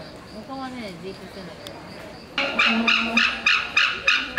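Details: Captive white-tailed sea eagle at Ueno Zoological Gardens, Japan. Low, indistinct sounds come first, then a burst of sharp, repeated yelping cries about three per second begins partway through.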